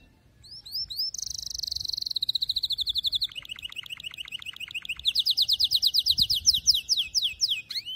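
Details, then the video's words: Stimulating canary song for tutoring young birds: a dense buzzy trill that steps down into a slower, lower rattling trill, then a bright, fast series of rising high notes repeated several times a second. "كناري مرعب غناء تحفيز غير طبيعي"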